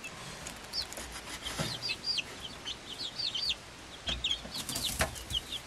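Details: Swedish Flower Hen chicks, five weeks old, hatched 26 February 2022, with a Silkie chick of the same age; high thin peeps sliding downward, given in scattered bursts with short pauses.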